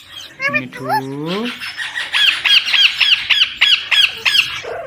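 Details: Pet Indian ringneck parakeet chick, presented as a talking parrot; a man speaks briefly, then the bird gives a long string of sharp, scratchy notes rising and falling, about two per second.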